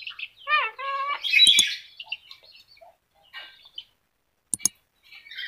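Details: Yellow-crested cockatoo speaking: a few voiced, wavering, word-like syllables lead into a loud harsh squawk, followed by quieter scratchy sounds and two sharp clicks.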